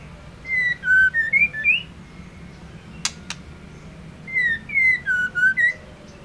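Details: Female white-rumped shama song used to excite the male into singing. Two phrases of clear whistles, falling then climbing, come with faint ticking overtones. Two sharp clicks sit between the phrases.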